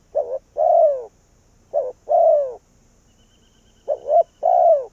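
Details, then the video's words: Decoy spotted dove calling wild doves in with low husky coos, each phrase a brief broken coo then a long drawn, downslurred coo, phrases spaced roughly two seconds apart, three in a row. "Cu Gáy Việt Rút Bổi Về Chung Tàn | suara burung tekukur"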